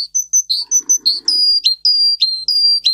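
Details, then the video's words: Russian singer canary song meant to teach canaries: sharp high chirps in a quick run, shifting into longer whistled notes that end in a sudden downward flick, repeated several times. "For training Canary singing (Russian singer canary singing) Original Song"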